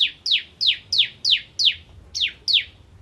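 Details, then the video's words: Ciblek (bar-winged prinia), crystal type, in the 'nembak ngentrok' song style: a steady string of piercing, high, steeply falling notes, roughly three a second, with a short break near the end. "Ciblek Kristal Gacor Nembak Ngentrok"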